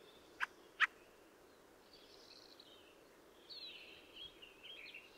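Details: Two harsh, abrupt chack notes from a fieldfare, then soft scratchy warbling phrases rising faintly out of background hiss in the second half.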